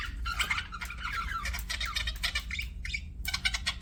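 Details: Budgerigar chatter of quick, dense raspy chirps and warbles, fairly quiet, with notable low-frequency room noise underneath.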